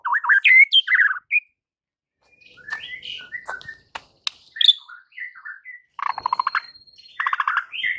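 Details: Rival-provoking white-rumped shama song: loud rich whistled flourishes, a pause, scattered chirps and clicks, then two rapid buzzy rattling phrases.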